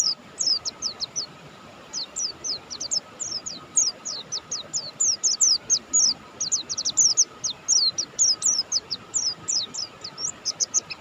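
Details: Mountain white-eye of the form known locally as Buxtoni, singing vigorously: a continuous stream of very high, thin, sharp chips and short down-slurred notes in rapid bursts, almost without pause, over a steady faint hum.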